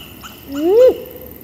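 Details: Great grey owl; contact call; keeping in contact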